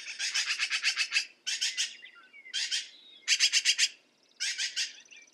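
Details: Black-billed magpie giving harsh, rasping chatter: rapid bursts of raucous chak notes, a long run of about nine followed by four shorter volleys, with brief pauses between.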